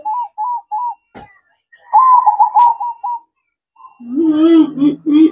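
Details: Night-time zebra dove song in manggung style: three short separate coos, then a quick rolling trill, followed by a lower harmonic voice-like sound.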